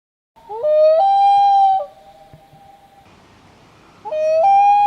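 A Common Loon gives two long, haunting, howl-like notes, each sliding up and then held steady. A quiet pause falls between them.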